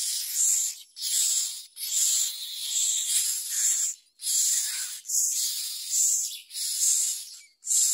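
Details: Myna baby fed a large blue caterpillar by the parent, giving loud hissing wheezes repeated steadily, each lasting under a second with short gaps, about eleven in eight seconds.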